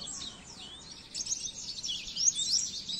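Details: Oriental white-eye song from a masteran recording used to tutor caged birds: high, thin twittering with fast slurred and rising whistles, fairly faint, with steady background hiss.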